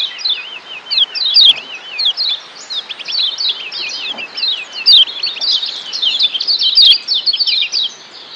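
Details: Lombok yellow white-eye, locally kecial kuning, in a training song recording: continuous rapid high chirping and twittering with wavering, trilled notes, dense and unbroken, over a faint hiss.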